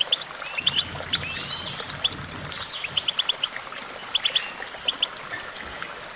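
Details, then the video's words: Goldfinch twittering: sparse runs of bright, high chirps and a few slurred whistles, with gaps between phrases and a faint low hum early on. "Vocal virtuoso: activating enhancing your goldfinch songbird prowess"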